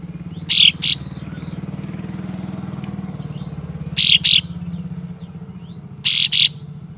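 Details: Harsh rasping bursts from a white-shouldered triller, calls used to provoke rival trillers into tail-spreading; three loud scratchy double rasps a couple of seconds apart over a steady engine drone like a passing motorcycle, with faint whistles.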